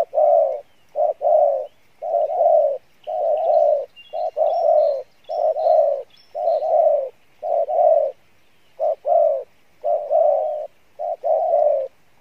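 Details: Spotted dove singing in the 'Pha Bài Lối' style with a good voice: a long, steady sequence of soft, mellow coos, paired short and long notes repeating roughly once a second. A few faint chirps from another bird are heard midway.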